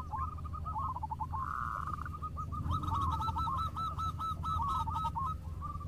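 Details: Local zebra doves calling to each other: overlapping trains of fast, rolling coos, with one long drawn note in the middle and a busy chorus of repeated notes after.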